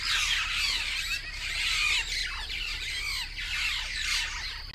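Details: Southern African starlings chatter in a dense, continuous mix of harsh squawks, rasping notes and quick slurred whistles, with several birds calling over one another.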